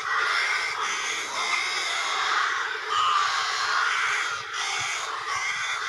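A young long-eared owl gives harsh, squeaky begging calls, strained and repeated over a dense, rasping background.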